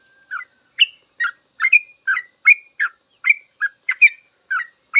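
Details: Sooty-headed bulbul delivering a full, long ropel song as a master recording for trucukan. Short bubbly whistled notes, some rising, some falling, repeat almost every half second in an unbroken run. Nothing else is heard.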